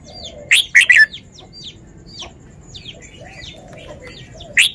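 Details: Song phrasing of a red-whiskered bulbul: three emphatic warbled notes open, followed by a run of soft, thin twittering and whistled notes, ending on one sharp loud note.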